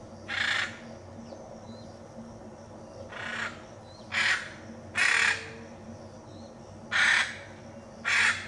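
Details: A wild hyacinth macaw in the Pantanal, Brazil, gives six loud, harsh, grating screeches about a second or two apart, over a low steady hum with faint thin bird notes.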